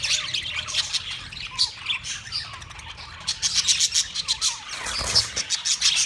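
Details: Australian parrots on March 15, 2024: a busy chorus of overlapping shrill squawks and chattering screeches from several birds, rising in intensity toward the end, with some low rumbling in the background.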